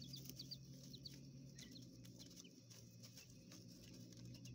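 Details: Chicks of coturnix quail kept in a hotel room enclosure in an urban setting give a few scattered, high, sliding peeps over a low, steady droning hum.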